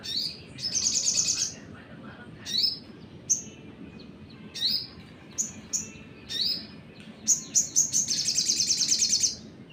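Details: Lure song of a sogon sunbird meant to rile other birds: bursts of very high, buzzy, fast-trilled phrases alternating with short sharp chips, ending in a long shrill trilled run, over faint steady background noise.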